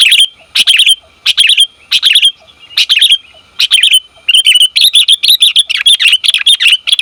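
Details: Female sooty-headed bulbul calling to a male, recorded as a lure: loud high chirps in rapid bursts, growing into a near-continuous excited chatter of sharp repeated notes in the second half.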